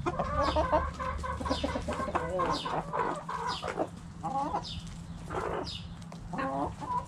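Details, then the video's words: Backyard hens clucking while playing cabbage volleyball, repeated short rising-and-falling clucks in close succession throughout, with a low rumble early on. "Chicken Sounds Noises Hens Clucking Roosters Crowing!"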